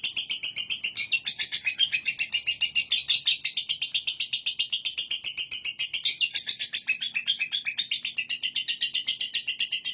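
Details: Long unbroken lovebird ngekek chatter lasting ten seconds: piercing, squeaky chirps repeat rapidly, almost four a second. There are no pauses, and the string of notes changes slightly in pitch.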